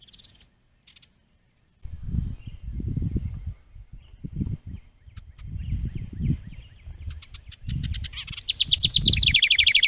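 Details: House wren at a nest box, trail camera recording from 10 May 2023: several seconds of low thumping and rustling, then near the end a bright, rapid run of high repeated notes that begins the song.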